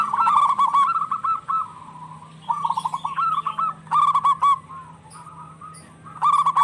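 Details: Zebra doves of a local strain calling back and forth, used to stir quiet or stressed doves to sing; several overlapping trilled-and-cooing phrases from more than one bird, with bursts of faint clicking above.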